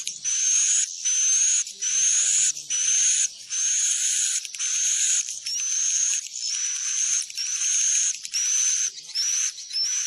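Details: Recording of swiftlet calls meant to attract swiftlets to roost in a building. Long, rasping, buzzy chirps, each ending in a short rising whistle, come in a steady series about once a second.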